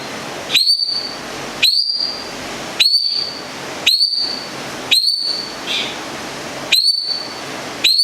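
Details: Long-tailed shrike from Gedong Songo, Central Java, a kept songbird, giving a sharp upslurred whistled note that levels off high, repeated roughly once a second, over a faint hiss.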